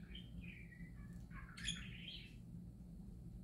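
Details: Happy parakeet singing: a gliding, falling chirp followed by a louder, rising and wavering warble with a brief harsh squawk, steady low hum underneath.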